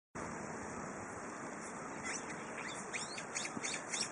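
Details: On a windy spring day, a Brown-eared Bulbul gives a run of short, shrill, sharply rising notes in the second half, over strong, steady wind noise.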